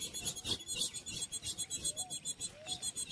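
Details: A female ultramarine grosbeak (azulão) calling to the male on a winter morning in the caatinga of northeastern Brazil, giving sharp, high, hissy chips in a fast string, about three or four a second, over a steady background hiss.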